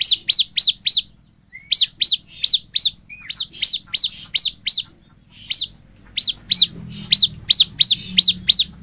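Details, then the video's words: Loud Bar-winged prinia song used as a lure to get other prinias calling: groups of high, sharply down-slurred chips in quick clusters, with a couple of soft lower notes and faint low rumble late on. "ASLINYA CIBLEK GACOR BIKIN CIBLEK LAIN MERESPON, Pancingan ciblek agar bunyi|| suara ciblek"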